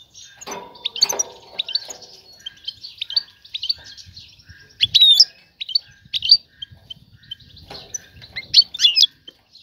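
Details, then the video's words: Female European goldfinch calling a male to pair and build a nest: fast sequences of bright tweets and trills throughout, with louder chattering bursts near five and nine seconds. "أنثى الحسون جاهزة, تبحث عن الذكر للتزاوج"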